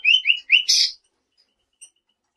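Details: A selendang biru bird makes three quick rising whistled notes, then a harsh scratchy burst, then silence broken by one faint high peep.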